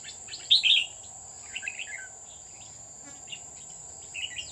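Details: Red-whiskered bulbul used as a decoy in trapping at Núi An Phú, Chùa Hương, 20 October 2019. A loud bubbling phrase opens, followed by softer chattered notes and a final short warble, with a continuous high insect hum.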